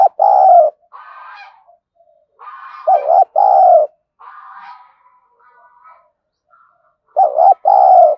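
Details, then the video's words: Decoy spotted dove cooing in the 'thổ' voice style to draw in wild doves: deep two-note coo phrases at the start, middle and end, with fainter rough chattering and twittering sounds filling the gaps. "Chim Cu Mồi_cu gay kich boi nhanh noi gù"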